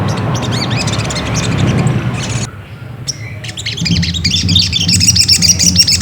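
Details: Ruby-cheeked sunbird, called sogok ontong, singing as a lure to prompt another bird: fast high chirps mixed with broad rushing noise for two seconds, a brief lull, then steady high twittering and tonal notes.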